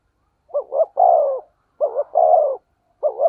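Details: Spotted dove in 'thổ sấm' (thunder) voice style, a lure call to provoke other doves: a repeated phrase of two quick hooked notes followed by a long, full, slightly falling coo, given three times in close succession.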